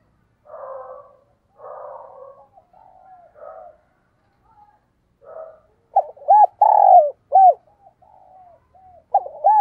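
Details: Decoy spotted dove calling wild doves in the morning: soft, rough coos at first, then louder clipped hooting notes in a quick, uneven series toward the end.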